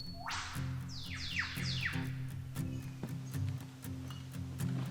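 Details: Eastern Whipbird in D'Aguilar rain forest, Australia: a long upslurred whistle ending in a sharp whip-crack, then several quick downward-sweeping notes over a steady low musical hum.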